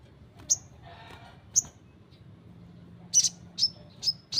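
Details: Ruby-cheeked sunbird, or sogon, singing actively: sparse, very high, sharp chip notes, single then in a quick run toward the end, with short pauses between them and a quiet background.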